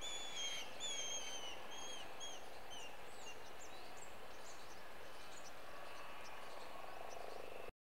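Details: Black kite during mating, breeding season in India, giving thin, high whistles that slide downward several times in quick succession, followed by scattered short chirps over a steady low background rumble.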